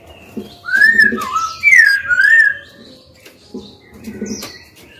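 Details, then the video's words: Female white-rumped shama singing to provoke males into song: loud, clear, swooping whistles that rise and fall, delivered in two connected phrases, followed by quieter scattered notes and soft background tones. "Murai batu betina gacor/lửa mái hót cực hay, dụ bổi mau mở mỏ, dụ trống hót đấu ngay!"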